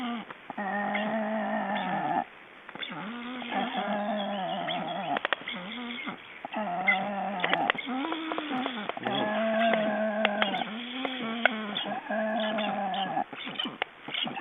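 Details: Black storks during ringing in Estonia, 29 June 2012: repeated long, hoarse, bleating notes of one to two seconds, slightly quavering, coming one after another with brief breaks, along with rustling and knocks.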